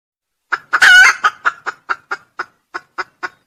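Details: Red junglefowl, crowing in a lure recording. A few sharp notes lead into one loud, hoarse crow, then about ten short, clipped notes follow at a slowing, regular pace.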